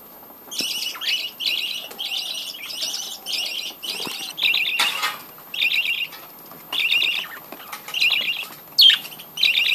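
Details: Budgerigar breeding colony; a high, buzzy, harmonic call repeated in an even rhythm about twice a second, broken by a few sharp clicks and short chirps.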